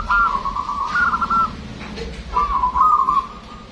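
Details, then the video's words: Zebra dove of a local strain, singing loud and long as a lure recording: two sustained, warbling, trilled coo phrases, each about a second and a half long, separated by a brief pause over a low background hum. "PERKUTUT LOKAL GACOR SUARA BESAR DAN PANJANG."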